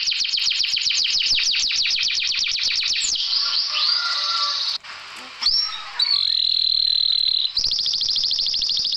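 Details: Canary song for coaxing silent canaries into song: a rapid high trill for three seconds, followed by abruptly joined segments of softer warbling, a sustained whistle and renewed trilling.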